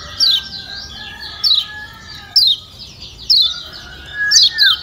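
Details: Lombok yellow white-eye calls used to provoke a lazy bird into singing: bright, steeply falling chirps repeated roughly every second, over a bed of thin sustained whistles from other birds.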